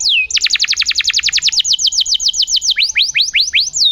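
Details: Vigorous canary on a masteran recording for coaxing silent canaries back into song: a falling whistle, then a very fast even trill of bright downward-swept notes that gradually slows into wider, separated sweeps.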